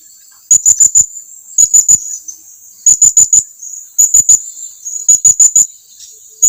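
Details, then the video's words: Blue-crowned hanging parrot calling for its companions to come close, repeating quick bursts of three or four very high, sharp chirps roughly every second, loud and clear. "suara serindit lagi memanggil kawannya agar datang mendekat"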